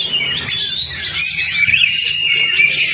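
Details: Lure song of an Oriental magpie-robin to spur a stalled bird: high, busy twittering and thin sustained whistles, a few squeaky notes standing out near the end, faint low hum underneath.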